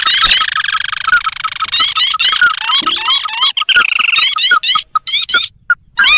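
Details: Sintar, a swamp and paddy bird, in a recording meant to lure wild sintar for trapping: sustained harsh chatter layered with quick rising whistles, then scattered squeaky upslurs and short notes.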